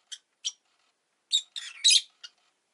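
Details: Pet rosy-faced lovebird at egg-laying time, two brief high chirps followed by a rough squeaky chattering run and a last short note, recorded indoors.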